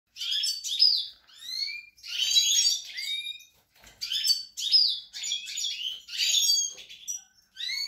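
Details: European goldfinch song recorded on 28 March 2020: bursts of bright, rapid twittering with tinkling high notes and short rising slurred whistles, delivered in phrases of about a second separated by brief pauses.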